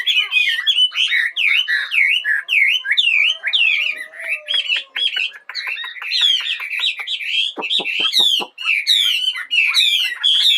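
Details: Bird singing in the morning with a long string of rapid V-shaped chirps, a faint low drawn whistle in the middle, crisp clicking notes and loud scratchy chatter.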